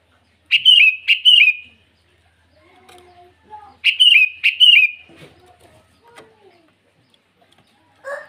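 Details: A sooty-headed bulbul calling to rivals in the morning, giving two matched bursts of three gurgling, downward-slurred notes about three seconds apart, with soft faint chirps between.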